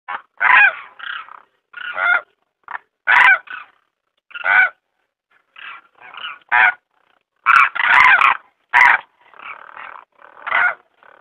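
Demoiselle cranes give harsh, rolling, trumpeting croaks in short bursts, several birds calling over one another in an irregular chorus.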